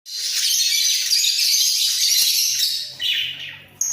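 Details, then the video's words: A pair of budgerigars in a breeding cage, bobbing their heads as they sing: a dense, continuous chattering warble of high scratchy notes that fades near the end. "Sepasang Burung Parkit Gacor"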